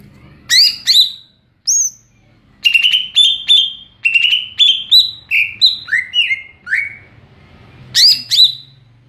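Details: Greater green leafbird singing a varied series of clear whistled notes, some sliding downward, others flat and ringing, given in quick bursts with brief pauses and bright high chirps at the start and end.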